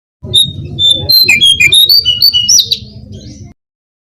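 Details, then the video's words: Brown-cheeked fulvetta song used to lure wild birds: a rapid run of high, sweet whistles, steady notes followed by rising and falling slurs, with soft low thumps beneath, lasting about three seconds. "suara pancingan burung jongkangan (cingcoang coklat)"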